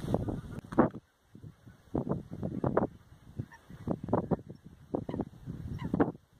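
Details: Lesser white-fronted geese in the Oudeland van Strijen, Hoeksche Waard, Netherlands, in February, where many gather each year; a flock gives repeated short honking yelps in overlapping bursts.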